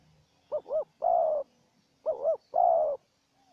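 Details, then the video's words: Spotted dove call from a contest between a wild bird and a decoy used for bird trapping. Two phrases, each a bouncy double note leading into a longer, rich sustained coo, about one and a half seconds apart. "Pikat dan Terkukur Liar Adu Suara"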